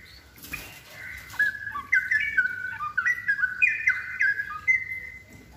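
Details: Gacor Straw-headed bulbul pouring out a rollicking song: after a brief noisy burst, loud liquid whistles step up and down in rapid choppy phrases, ending on a sustained clear note.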